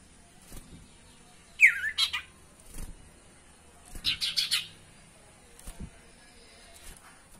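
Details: Sirtu calls offered as a lure to make caged birds sing: a jerky group of slurred chirps, a second quieter cluster of quick notes, and scattered soft clicks, all fairly faint.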